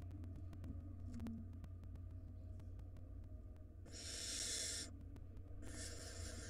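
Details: In a barn owl nest where parents struggled to find food after a long storm, nestlings make two strong rasping hisses late on, after several seconds of low hum.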